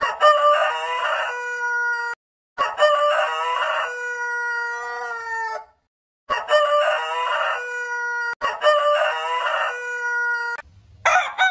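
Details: Crowing roosters from a compilation of heritage chicken breeds: four long cock-a-doodle-doo crows edited end to end, each rough at the start and then a clear sustained tone that slides slightly lower as it fades.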